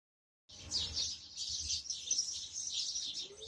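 House sparrows chatter in a dense, unbroken stream of high, overlapping chirps, as from a busy flock, with no other clear sounds.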